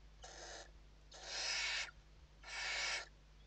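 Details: Western barn owls inside a nest in Spain during evening feeding, 29 November 2023: three harsh, breathy hissing screeches, the middle and last longer and louder, with a steady low electrical hum behind.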